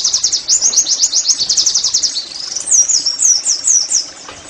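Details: Oriental white-eye in the rapid 'nembak' singing style, played as therapy so caged birds sing actively: dense, very high chattering trill of quick repeated notes, then a few looser, sweeping whistled phrases near the end.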